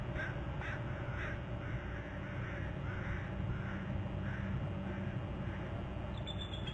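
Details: Eagle at its nest territory on Hornby Island, July 31: a run of thin, high chirping notes early on, then softer spaced calls, over a steady low rumble of background noise.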